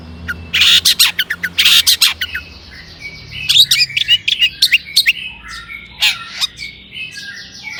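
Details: Long-tailed shrike song used to lure other shrikes into singing: a cluster of loud harsh notes, then softer, scattered twittering chirps and thin whistles.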